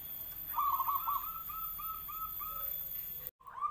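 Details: Local zebra dove, Noyorono katuranggan, known for a big voice, delivers a trilled burst followed by a string of separate short cooing notes fading lower. The sound cuts off abruptly, then restarts with another coo.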